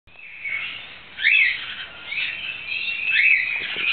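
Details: Pet green-cheeked conure calling while being held and rolled over in a person's hand; bright, squeaky chirps with short rising and falling notes, a louder burst around the middle, and a steady chatter throughout.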